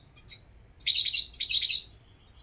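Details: European goldfinch singing a brief high twitter, then a longer run of bright, tinkling, rapidly jumbled notes ending in a thin sustained tone; no other sounds.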